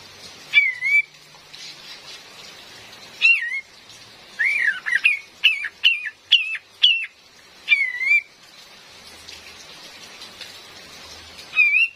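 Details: Female cream-vented bulbul, recorded as a lure for forest trapping: spaced wavering whistles and a run of about six clipped slurred notes mid-way, over steady hiss, possibly rain.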